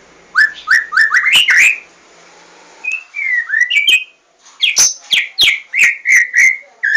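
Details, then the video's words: White-rumped shama lure song to encourage singing. Repeated rising whistled notes, a soft warbled passage, then loud clicks and a series of downslurred whistles. "Suara Pancingan Burung Murai Batu"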